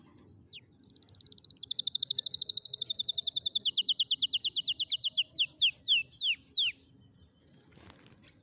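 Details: Canary singing as a tutor recording for teaching young canaries to sing: a rapid trill of evenly repeated high notes gathers speed and loudness, then breaks into several loud, sweeping downward slurs before a short noisy rustle.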